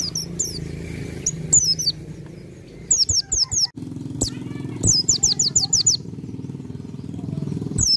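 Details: High, sharp, falling chirps from a bar-winged prinia come in rapid runs of up to six notes, separated by brief gaps, against a persistent low droning hum and faint background noise.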